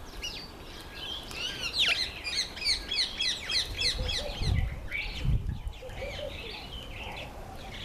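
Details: Female mountain chat, also known as Bergwagter or Khaloti: a rapid run of high, bouncing chirps, about seventy a minute, then softer scattered notes, with low rumbling thumps in the background.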